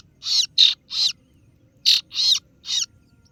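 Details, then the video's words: Kaso-kaso bird, or singo barong, luring rivals with 'ciet ciet' calls: two groups of three rough, scratchy notes separated by a short pause. "Suara pikat burung kaso kaso(singo Barong) Terbukti ampuh ,kaso kaso ciet ciet memangil lawan"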